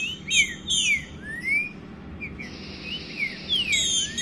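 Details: Green-winged saltator (Saltator similis), mating call: female soliciting mating.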